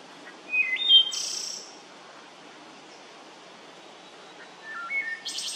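Wood thrush sings two fluty phrases about four seconds apart, each a few stepped clear notes ending in a high, shimmering trill, over a soft background hiss.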